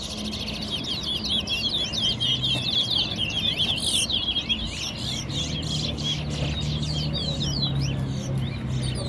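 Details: Large-billed seed finch (towa towa) in a singing competition at Guyana National Stadium, Guyana: rapid, continuous warbled and whistled song with quick slurred notes, mostly high-pitched, a person counting aloud and crowd murmur behind.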